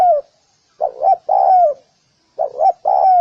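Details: Spotted dove, two full cooing phrases heard close together. A pair of short rising-falling notes precedes a long smooth coo that falls away. The setting is otherwise silent.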